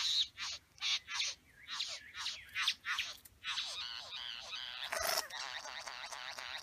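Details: Male satin bowerbird at his bower with females, making quick buzzy rasps that run into a jumbled, chattering and wavering mix of mimic-like sounds, with a sharp knock near the end.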